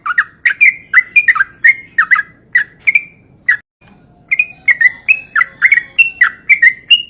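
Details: Yellow-vented bulbul singing a stream of gurgling, warbled notes, pausing briefly midway before resuming the lively, rolling phrases.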